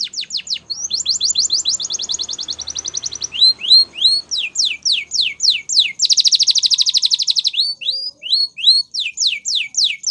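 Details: Canary training song with varied phrases: a fast staccato trill, rising whistled notes, a series of loud falling slurs, a dense rolling buzzy trill, and more upslurred and downslurred whistles in steady rhythm.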